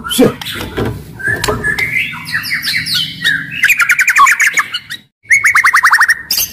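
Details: Loud, agile white-rumped shama used as a lure for shamas that sing too little; varied song of sliding whistles, then fast rattling trills and a run of quick descending notes, with some knocking noise early on.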